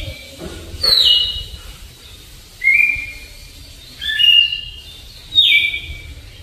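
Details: Red-cowled Cardinal singing the slow 'flauta alagoano' song style: four clear whistled phrases, each a bright descending slur that levels into a sustained tone, spaced about one and a half seconds apart, over a faint low background hum.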